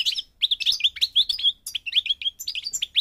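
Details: Rapid, bright song of a Moroccan Parva European goldfinch from North Africa: a steady run of high, slurred chirps and liquid twitters repeated several times a second, with no pauses.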